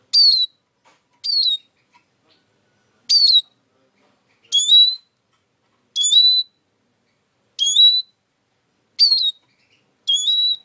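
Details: Eurasian siskin repeating high whistled notes about every one to one and a half seconds, some falling and others rising sharply at the end, eight notes in all.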